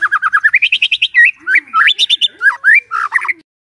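A white-rumped shama sings a fast, varied song: a rapid run of about a dozen chattering notes, then rich rising and falling whistles and buzzy phrases.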